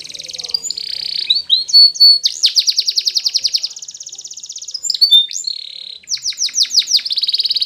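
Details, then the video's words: Spanish Timbrado canary singing a training song: varied high tours, with buzzy sustained trills, rapid pulsed rolls and sharp repeated chirps, changing pattern every second or two, loud and clear with no other sounds. "Timbrado Canary's Most Powerful Song For Training"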